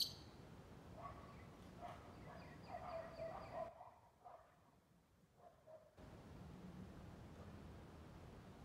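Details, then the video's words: A lovebird gives rapid, scratchy chattering with squeaky chirps, broken by a brief quiet stretch, over a steady background hiss. "Burung Labet LoveBird Berkicau Ngoceh Imut Banget"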